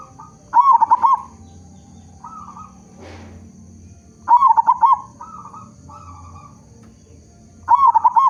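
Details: A local zebra dove with a strong voice, played to prompt other zebra doves to sing, repeats a loud phrase of five fast throbbing coos about every three and a half seconds, with softer tonal notes between and a brief rustle.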